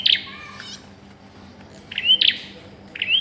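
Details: Bar-winged prinia during pairing, a burst of sharp chirps followed after a pause by two more short upward-flicked notes, with faint low hum beneath.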